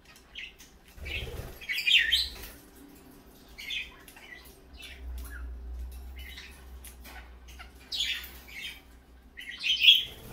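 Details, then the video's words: Sparse morning chirps from parakeets, short and high and spaced out, with a louder flurry near the start and end and a faint low hum in between. "parakeets morning fun"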